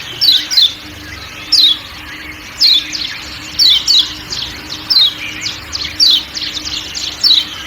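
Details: Quick, high-pitched falling 'ciak ciak' notes from a kecial kuning white-eye of Lombok, often doubled, spaced about a second apart against soft forest noise.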